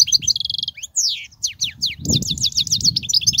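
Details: Goldfinch singing, a recording for teaching young goldfinches: a quick trill of repeated notes, sweeping slurred whistles, then a rapid run of repeated downslurred chirps over faint low rumbling.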